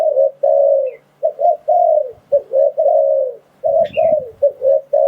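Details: Spotted dove coos used to lure wild doves for trapping: repeated mellow phrases of quick double notes and longer falling coos, with a brief high chirp from another bird and some soft low rustling.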